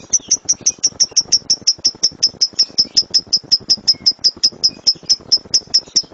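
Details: Lovebird master recording in the 'tembakan' rapid-fire style: a long, even string of short, piercing high chirps, about five to six each second, with no pause.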